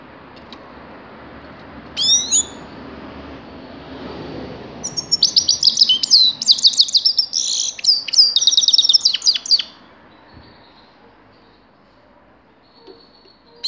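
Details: Grey-crowned goldfinch in full song: an isolated chirp, then about five seconds of rapid, tinkling, high-pitched twittering with rolled trills and buzzy notes, ending in quiet with a few faint calls.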